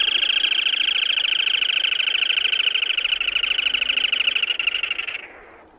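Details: Black-tailed crake (Zapornia bicolor), call.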